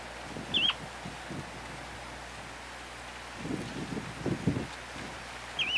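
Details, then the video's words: Semipalmated Plover in Canada: two clear, rising 'chu-weet' whistles about five seconds apart, over steady wind rumble and some rustling. "Semipalmated Plover"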